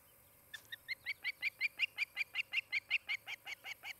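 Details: Osprey at its nest near Charlo, Montana, caught by a nest camera on the morning of 23 July 2018, one of a nesting pair: a rapid series of about seventeen sharp, high chirps, roughly four per second, swelling louder then easing, over low background hum.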